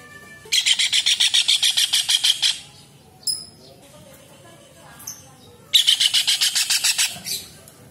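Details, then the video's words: Kingfisher, in a tutor recording for songbirds, giving a long run of about fourteen harsh, rapid notes. Sparse sharp chirps follow, then a second run of about ten. "TENGKEK UDANG / CEKAKAK GACOR / RAJA UDANG Masteran UNIK for murai c.ijo cendet kacer / kingfishers"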